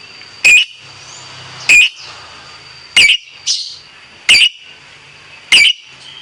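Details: Competition lovebird giving single sharp, shrill chirps spaced about a second apart, five clear notes with one softer squeak between, over a faint room hum.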